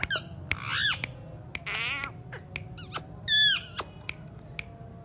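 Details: Alexandrine parakeet talking in short, scattered bursts: dry clicks, a drawn-out buzzy phrase and quick downward whistles, with a faint hum underneath.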